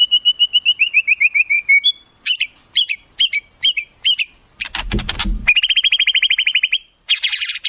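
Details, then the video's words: A white-rumped shama in a song rich with wild-bird phrases. A steady series of about fifteen whistled notes falls slightly in pitch, followed by crisp high chips, a harsh rattle and a fast even trill. "Masteran Murai, Isian Burung Alam Liar"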